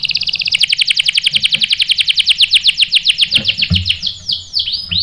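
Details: Canary singing ngerol after a female is used as bait: a long, very fast rolling trill of downswept notes that slows near the end into broad, spaced sweeping whistles.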